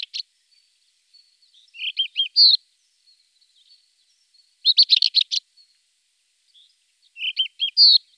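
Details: Rufous-tailed scrub robin in song, repeating short phrases every few seconds: clipped notes followed by a rising whistle, and a fast run of sharp chirps in the middle; clean, quiet background.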